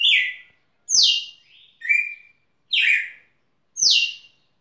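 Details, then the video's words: Song of a red-cowled cardinal recorded at Rio Grosso: five strong whistled phrases about one second apart, mostly dropping in pitch, with one lower level note in the middle, background otherwise still. "Galo de campina cantando"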